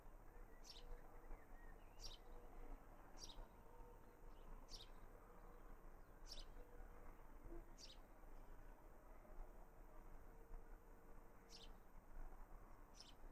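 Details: On 19 June 2018 in a garden in Raunds, a young house sparrow calls persistently, giving single sharp chirps roughly every one and a half seconds over quiet, low, steady background noise.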